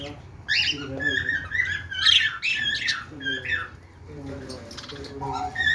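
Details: Pet budgies making happy sounds: busy chirps, squeaks and warbling chatter, with a human-like voice running underneath in a small indoor room.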